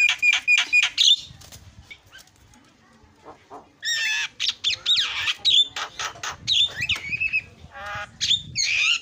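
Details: Starling chatter used as a lure to make other starlings sing: quick whistled notes at the start, then dense harsh rasps, slurred whistles and squawks tumbling together with little pause.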